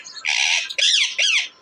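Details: Pet parrot, described as a Deshi parrot, recorded indoors on April 28, 2024: three loud, harsh squawks with bending, wavering tones, separated by short gaps, while a woman talks to it in Hindi before and after.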